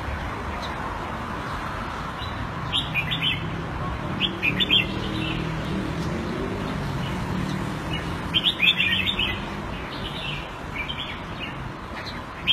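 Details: Red-whiskered bulbul kept caged Thai style in Singapore, February 2018, gives separated bursts of quick sweet warbling notes with gaps between, over steady low background noise.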